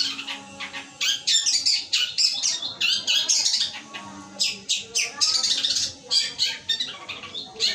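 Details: Long-tailed shrike delivering 'gereja petir' material in its song: a dense, fast chatter of high, scratchy notes and chirps, pouring out almost without pause.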